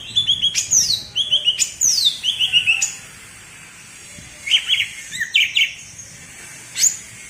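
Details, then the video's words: Bebeci song type from a cucak ijo of Alas Purwo, Banyuwangi: three quick phrases of downward-sweeping whistles ending in clipped low notes, then scattered softer chirps after a pause. "Suara Bebeci Khas Cucak Ijo Alas Purwo Banyuwangi"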